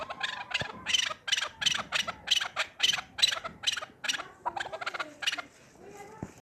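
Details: Chukar partridge, a hunting bird, calling: a quick run of harsh, scratchy chuck notes, accelerating then fading, with a faint whistled tone in the background.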